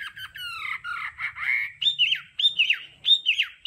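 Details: Hwamei đảo âm training song: harsh, slurred falling notes give way to three quick looping whistled phrases repeated at roughly two-per-second intervals.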